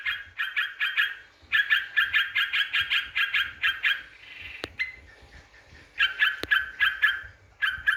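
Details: Yellow-vented bulbul lure song to provoke rival birds: groups of quick, bright chirps in bursts, separated by short gaps and a couple of sharp clicks.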